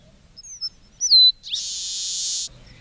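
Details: Song of a red-breasted meadowlark: soft short whistles, a clear note sliding down and holding steady, then a harsh, wheezy buzz of about a second.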